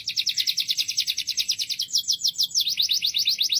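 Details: Canary singing loudly: a rapid, even trill of sharp high notes, about eight per second, shifting midway to a slightly slower run of swooping, V-shaped notes, with no other clear sounds.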